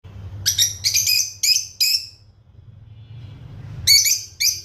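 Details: Lovebirds, including red-headed, lutino and opaline birds, chirping indoors: bursts of sharp, buzzy high chirps in quick pairs, a pause of nearly two seconds, then more chirps, over a low steady hum.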